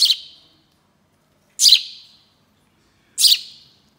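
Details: House sparrow (Passer domesticus) at a wildlife rescue centre in Morlanwelz-Mariemont gives three harsh, scratchy chirps, each fading quickly, about a second and a half apart against a quiet background.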